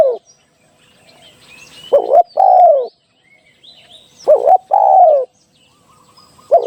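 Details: Decoy call of a spotted dove used for trapping: two clear phrases of a short double note plus a longer, falling coo, separated by pauses. Distant high chirps from other birds are audible.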